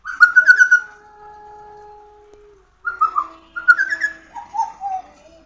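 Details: Pied butcherbird: a quick series of warbled, fluting notes leads into a long steady whistle lasting over a second. Further rolling whistled phrases then descend in pitch.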